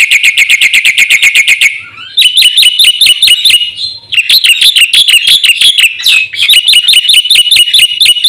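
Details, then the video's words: Black-winged myna in full fill-in song for luring and training caged birds: a fast, even rattle of high notes opens, then a pause, then long series of sharp, springy chirps repeated in quick succession. "suara burung jalak putih gacor full isian RAJANYA pancingan dan masteran"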